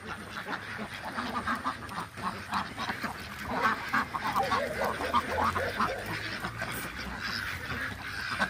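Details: Ducks on a farm in Nepal, a dense crowd of harsh, nasal quacks overlapping nonstop, many birds calling at once in rapid uneven bursts that swell louder toward the middle, with a steady low background hum.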